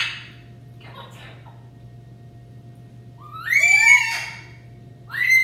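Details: Pet macaws being vocal indoors: after a quiet stretch, a loud burst of tonal, upward-sweeping, shrill calls with rich overtones, then another brief cry at the end, with a low hum underneath.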